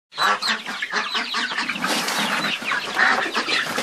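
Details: Flock of chickens making dense overlapping clucks and squawks, a busy continuous chatter with no pauses throughout.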